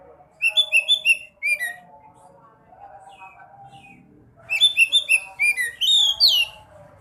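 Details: Song of a sekoci, played to coax caged birds into full song: a quick series of high twittering notes, a pause with faint murmur, then a longer rapid phrase ending in sweeping whistles.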